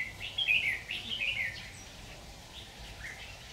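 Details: Red-whiskered bulbul recorded while being trapped with a decoy bird on 26 October 2019: a quick burst of rich, warbling whistled notes in the first second and a half, then fainter scattered chirps over low hum.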